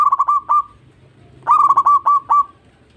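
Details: Zebra dove (perkutut) song played as a lure for doves that are stressed, young or slow to sing: two quick phrases of clipped, ringing coos, the second a longer run of about seven notes.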